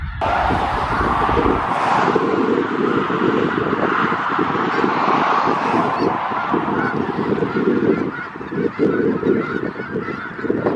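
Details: Roughly 5000 snow geese congregating in south Grayson County, Texas, in February 2018 keep up a steady, unbroken clamour of yelping honks, a dense chorus holding level throughout, easing slightly near the end.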